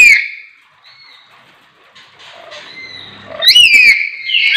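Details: Lory call: a loud harsh screech opening, a quiet stretch with faint notes, then more grating shrieks near the end.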